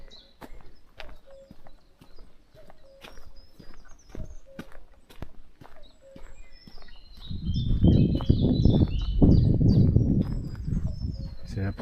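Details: Common Cuckoo in a forest at the start of spring, the first heard this year: soft, low two-note hoots repeated about once a second behind loud crunching footsteps, followed by a man speaking French.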